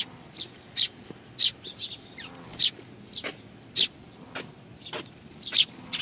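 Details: Sparrows coming to be fed at Tenmangu shrine, Nakanoshima, 21 June 2020; scattered high chirps from several birds overlap, some loud and close, others softer, about one per second.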